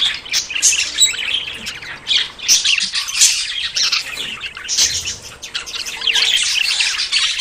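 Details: Several budgerigars courting before breeding give fast, overlapping high chirps and scratchy warbles in surging waves, with short quieter gaps between bursts.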